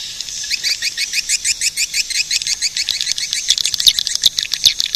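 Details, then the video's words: Swiftlet call: evenly spaced short high chirps, roughly three a second, turning into busier, irregular twittering toward the end. "suara burung walet"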